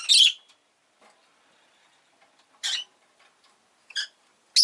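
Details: Rosy-faced lovebird kept as a pet gives four separate harsh, high chirps, the first loudest, spread over several seconds with silence between.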